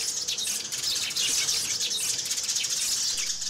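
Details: Many sparrows call together while hopping and squabbling, a busy wall of sharp, high twittering chirps with no pauses.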